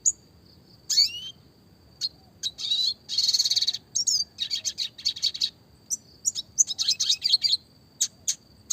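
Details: Lively classic red siskin song with clear voice, fast tight roll tembak variation: mixed high chirps, a rattling buzzy burst, and clusters of quick notes over a faint steady high tone.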